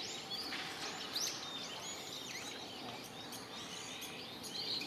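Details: Japanese pygmy woodpecker (Yungipicus kizuki) at fledging in mixed woodland on the morning of 8 May 2020, parents urging the young to leave the nest: short, squeaky, buzzy calls at irregular intervals amid busy high chirps from other small birds.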